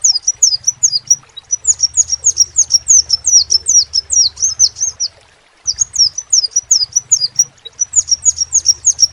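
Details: Crimson sunbird song: rapid series of high, thin, downslurred notes, about two per second, sung in bursts with a short pause near the middle, over a low steady hum.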